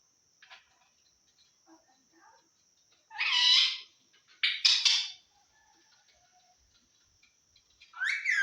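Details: Pet talking parrot from Assam uttering several loud speech-like bursts, one rising and harmonic, one broken and clipped, with softer chatter between and a steady high-pitched hiss behind.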